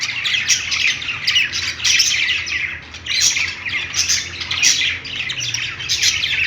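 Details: A group of parakeets chirps on a perch inside a pet store: busy, scratchy warbling with sharp chirps that swell and fade every second or so.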